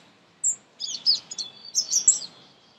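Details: Nestlings chirping as they are fed close up: a single thin high note, then a rapid jumble of squeaky, overlapping chirps and trills that rise in intensity toward the end.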